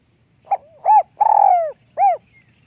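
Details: A high-pitched spotted dove coo sequence, the lûk kòk style. It opens with a clipped note, rises into a rounded hoot, then a long rolling descending coo, and ends with one clean hoot. A faint rumble is present.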